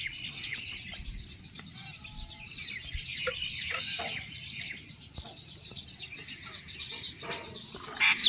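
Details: Jungle babbler chick in Pakistan begging while its mother feeds it: continuous harsh, buzzy chatter of high begging calls, overlapping and unbroken, with a few clearer chirps near the end.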